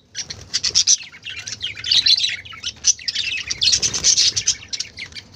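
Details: Colourful budgerigars chatter and clamour together, a thick stream of scratchy chirps, squeaks and warbling notes that barely pauses, over a soft low background hum.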